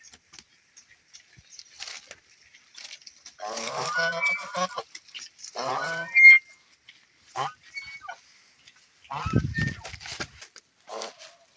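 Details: Geese playing in water give a run of harsh, nasal, harmonic honks clustered in the middle. A few shorter scattered honks follow, and a low thumping burst comes near the end.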